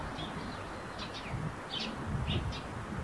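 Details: Eurasian tree sparrows at a roof nest give a few separate high chirps, about six short notes spread over a few seconds, against rumbling low-pitched outdoor noise.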